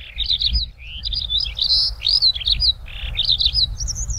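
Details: A skylark singing on the ground pours out an unbroken, fast, passionate stream of high chirps, trills and slurred whistles, with a low wind-like rumble underneath.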